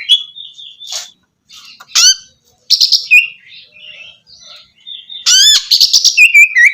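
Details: Oriental magpie-robin song for restarting a silent bird: soft warbled whistles, then a sharp upswept note, followed by dense buzzy trills and falling whistles near the end.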